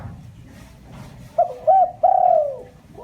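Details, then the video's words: Spotted dove giving a lure call used to stir up other doves: after a quiet start, two short hooting coos, then a long drawn-out coo sliding downward, with the opening of a further note at the end. "tiếng chim cu gáy mồi chuẩn cực hay kích bổi"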